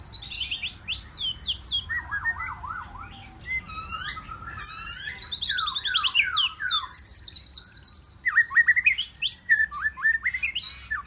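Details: Long varied outpouring from a white-rumped shama singing 'forest voice' song meant to excite wild-caught birds into contest singing: fast descending slurred whistles, sweeping high rattles and rolling repeated phrases with barely a pause.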